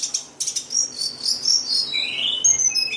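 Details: White-rumped shama singing: high whistled notes and slurred rising phrases, some buzzy high bursts at the start, delivered in a quick varied stream.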